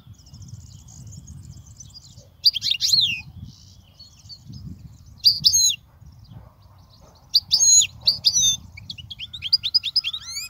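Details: European goldfinch song recorded as a teaching aid for young goldfinches: separate short phrases of high, sweeping twittered notes come every second or two, with a faint thin trill at the start and quiet gaps between.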